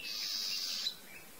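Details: Ochre-rumped Antbird singing while foraging in bamboo understorey of highland forest: one harsh, buzzy, high-pitched note lasting almost a second, ending with a short sharp tick, then a faint lower note in a quiet background.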